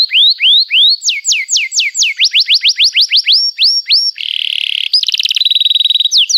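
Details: Canary song played to teach young canaries: repeated rising and falling whistled slurs speeding into quick upsweeps, then a harsh buzzy churr and a fast high trill.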